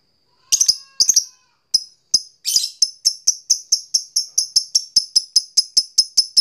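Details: Lovebird ngekek long chatter used to stimulate other lovebirds: a few hesitant clusters of sharp notes, then a fast, steady run of piercing high ticks that keeps going to the end.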